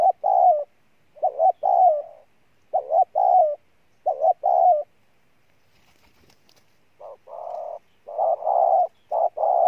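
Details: Decoy spotted dove giving a series of loud two-note coos, a brief pause, then longer, flatter, evenly spaced coos in bursts of short and long notes.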